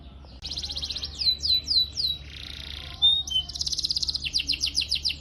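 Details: Young-canary training recording with a buzzing trill, a few looping down-slurred whistles, a hoarse rasp, a bright whistle, then a quick rolling series of falling notes, backed by low hum.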